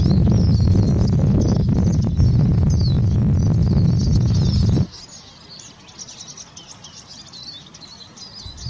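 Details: Eurasian siskin song: a rapid, high twittering runs throughout, half hidden under loud low rumbling noise for the first half, then clearer once the noise suddenly drops away.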